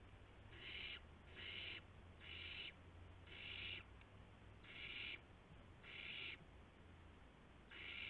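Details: Owls at the nest in the early hours of March 19, 2016, while adults deliver mice and a gopher to the owlets; rhythmic series of seven strong, rasping hisses, each about half a second, repeated roughly every second, low hum behind.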